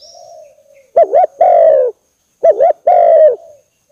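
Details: Lure call of a spotted dove for attracting birds, with two clear phrases, each a quick undulating coo followed by a sustained, slightly falling coo, about one and a half seconds apart.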